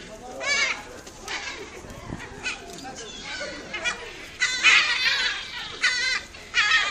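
Great black-backed gull giving harsh, nasal barking calls in short bursts about every second, some uneven and laughing, against a faint outdoor background.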